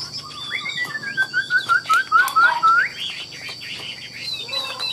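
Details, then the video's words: A Chinese hwamei in a cage, sold as a warbling songster in Vietnam, delivers a loud series of short down-slurred whistles repeated evenly, falling slightly in pitch, ending in a rising flourish and softer chatter. "Họa mi đẹp hót hay, Cao cầu đuôi lá vả, Gật gù luyến láy hót như máy"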